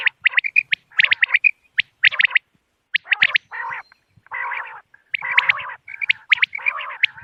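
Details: Common quail sounds for luring birds on moonlit nights: groups of sharp, high notes alternating with longer, lower, rasping, nasal bursts, separated by short pauses.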